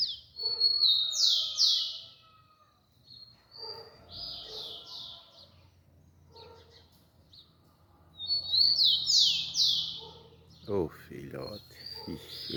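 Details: Rufous-collared sparrow song: two high, clear whistled phrases of sliding notes, one near the start and one repeated about eight seconds later, over a low rumble, with a brief human voice at the end.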